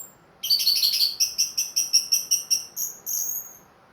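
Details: Captive ringed orange-headed thrush that has resumed singing after moulting, delivering a rapid trill of about a dozen sharp, evenly spaced high chips that slows toward the end and finishes with two longer thin notes.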